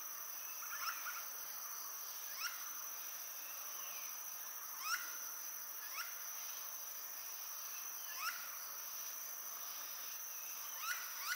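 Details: Seven Great slaty woodpeckers together at dusk in Garbhanga forest, Guwahati, 16 Nov 2019, calling while feeding and flying tree to tree: short, sharp calls in loose bursts every one to three seconds over a steady high insect drone.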